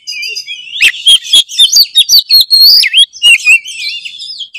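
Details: Kacer, the white-rumped shama, singing at full power as a prompt for other birds: rapid string of sharp chips, looping whistles and buzzy twitters, continuous and busy, over a faint high background trill.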